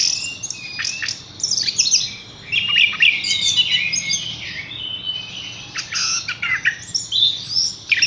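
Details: A caged Horsfield's bush lark pours out a continuous, energetic jumble of high squeaky chirps, sharp clicks and buzzy trills with brief breaks between bursts.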